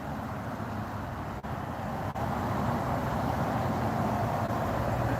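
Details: A steady roar of road traffic, dense and unbroken, with a couple of brief dips.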